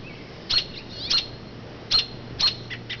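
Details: Mother robin calling near her low nest in an oak to lure attention from passers-by; four loud high chirps about half a second apart, followed by two softer, lower notes.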